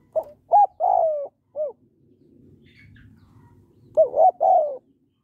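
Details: Spotted dove hen cooing to stir up males. One full phrase gives a brief hoot, a rising note, a long drawn coo sliding downward and a short last hoot, followed later by a second phrase with a soft rumble in between.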